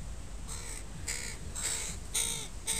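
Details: Crows of a family with youngsters in a park, a Sunday recording: five short, harsh caws in quick succession, each rich in overtones, about every half second over low background rumble.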